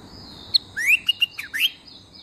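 A bulbul gives a quick, bubbly run of five or six liquid whistled notes with rising slurs, lasting about a second, over a faint steady high hiss.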